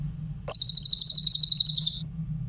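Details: Grey-headed canary-flycatcher song meant for tutoring other songbirds: after a short silence a bright, very high trill starts, fast repeated piercing notes for about one and a half seconds, then stops; a steady low drone underneath.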